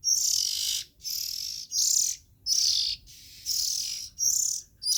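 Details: Oriental magpie-robin chicks utter long, buzzy, hissing shrieks, each lasting most of a second, separated by short silences; nothing else clearly heard.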